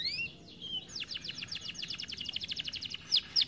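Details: Overweight canary, said to rarely sing, opens with a couple of whistled notes and then delivers a long, even, rolling trill of about twenty rapid notes, ending on sharp high chips.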